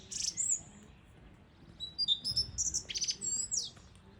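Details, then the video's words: Song thrush song made of varied, high, whistled and squeaky phrases given in quick bursts, with slurred notes and brief chatter, after a short pause. The background is quiet. "Дрізд співочий."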